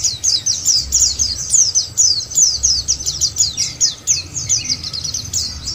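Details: White-eye singing on a lure recording meant to make white-eyes sing: rapid high chirps in a tight, repeated twittering stream, slightly rising and falling, with a low background hum.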